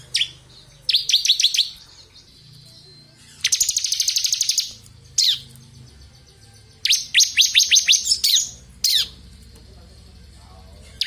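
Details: Bar-winged prinia of the crystal type, singing steadily as a tutor recording for magpie-robins: bursts of sharp, descending high notes alternate with rapid buzzy trills, separated by pauses of one to two seconds.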